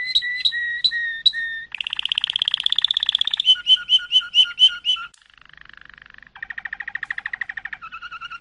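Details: Malinois canary delivering varied song tours: spaced double-pitched bell notes, a dense buzzing roll, a row of knocking pulses, a soft low rattle, then a measured pulsed trill and slow paired notes.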